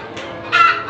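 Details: At midday, a hen gives a single harsh, nasal 'kok' note that rises sharply and fades within a second, the kok sound hens make around egg-laying.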